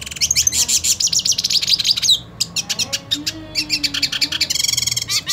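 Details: Purebred hooded siskin singing while wanting to fight another hooded siskin: a fast, twittering run of high notes, chattering bursts and buzzy trills, with a brief pause near the middle and a rapid even trill at the end.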